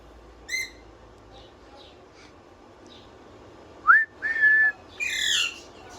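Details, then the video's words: Pet parrot whistling: a few faint chirps, then a quick upward-sliding whistle followed by a steady, clear held whistle, ending in a loud harsh squawk; quiet room hum in the background. "Parrot whistling full enjoyment"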